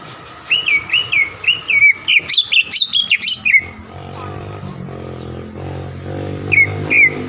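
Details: Green leafbird song used as a lure to provoke a rival leafbird into singing: a run of clear, repeated whistled upslurs near the start, then a burst of fast, varied chirps and a short whistled phrase at the end, with a faint low hum.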